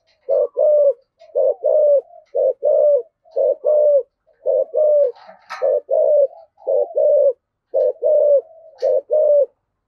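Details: Spotted dove cooing in the 'giọng thổ' voice style, used to stir wild doves into answering: low, mellow double-noted coos repeated about once a second for the whole stretch, with one brief scratchy burst midway.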